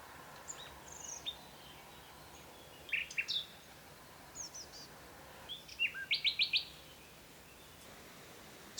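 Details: Nightingale singing in spring in Provence, near a hoopoe nest under a chestnut tree: short, varied phrases of thin high whistles, then a fast run of five or six repeated sharp notes, over faint steady hiss.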